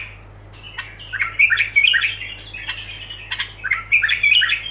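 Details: Continuous bulbul song of linked phrases: after a brief quiet start, lively chirping and warbled notes come in clustered bursts, over a faint constant low hum.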